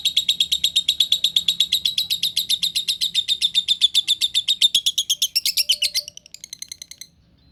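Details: Lovebird singing in the relaxed ngekek style, used to prompt lovebirds that have stopped singing: a long, fast, steady chatter of sharp, high repeated notes lasting about six seconds, ending in a few slower, rougher notes.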